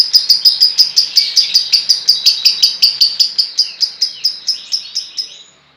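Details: Lovebird kept as a fighter bird, giving a fast series of sharp, high chirps, about three each second, evenly spaced and fading slightly toward the end, with no other clear sounds.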